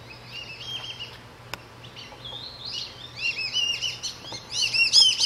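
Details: Black-bellied whistling duck flock calling loudly in high, squealing, overlapping multi-note whistles as they fly over a backyard at sunset after leaving a lake roost for feeding fields, central Florida; calls grow louder and busier toward the end.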